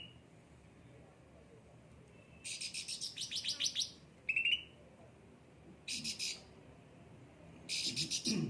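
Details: Cucak ranting, a pampered bird in lively song, gives separated bursts of harsh rasping chatter and one short buzzy trill, with quiet pauses between the phrases.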